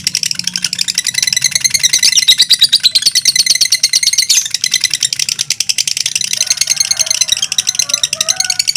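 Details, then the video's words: Two fighter lovebirds singing against each other in a long competition song past two minutes. A continuous shrill rattling chatter fills the whole stretch, fast and unbroken, with faint softer chirps underneath near the end. "PERSAINGAN KETAT🔴 2 LOVE BIRD FIGHTER MENTIL DURASI TEMBUS 2 MENIT"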